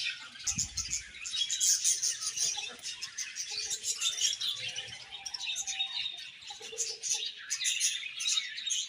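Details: Several budgerigars chirp nonstop: a dense, warbling chatter of overlapping high chirps and squeaks, steady throughout, with a brief low thump near the start.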